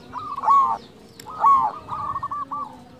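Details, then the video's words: Loud-voiced local zebra dove (perkutut) singing to provoke and lure other doves: two strong, rich coos about a second apart, the second followed by a rapid stuttering run of softer notes, over a steady low hum. "PERKUTUT LOKAL GACOR SUARA BESAR - Jagonya Mengundang Bunyi"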